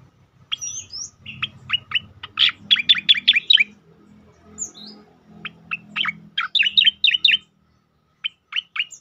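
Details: Song of a striated grassbird (cicakoreng), 'tembakan' style, used to train and provoke other birds: bursts of quick, high chirping notes in fast runs, separated by short gaps, with faint low hum beneath.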